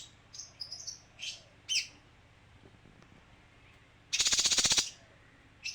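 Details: Scattered soft high chirps from a male kinoi lead into a loud, fast, pulsed buzzing trill of under a second, then a final faint note.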